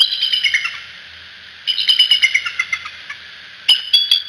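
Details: Bald eagle parents at the nest at Decorah, recorded by nest cam: three bouts of high, thin, piping chitters, rapid squeaky notes tumbling in short runs, separated by brief quiet gaps.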